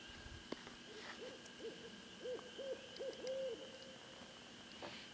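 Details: Barred owl called in by a person, answering from a distance with a faint run of about six short arched hoots over two seconds, the last drawn out longer, over steady background hum.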